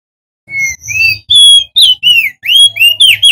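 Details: Male crested white-eye from Lombok, West Nusa Tenggara, sings to lure other white-eyes into song: a thin opening whistle followed by several longer clear whistled notes that rise and fall, slightly quickening.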